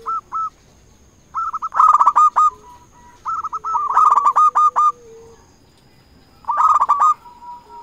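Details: Local zebra dove in active song, a lure bird calling rivals; three bursts of quick, rolling cooed notes about every two and a half seconds, each burst with a sharper ringing start, and a faint steady high tone behind.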